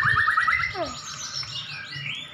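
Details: Dueling white-rumped shamas, caged champion birds: a fast trill of repeated rising notes, then falling slurs and softer whistled phrases fading toward the end.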